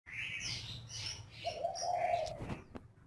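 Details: Spotted dove kept as a lure bird in northern Vietnam: a single low, steady coo about a second long, overlaid by sharp high chirps and squeaks from other small birds, with a faint low hum beneath.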